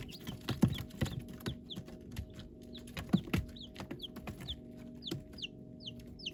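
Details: Baby chickens peeping: thin, high, downward-slurred whistles repeated in a loose series over soft tapping and scratching sounds from the floor.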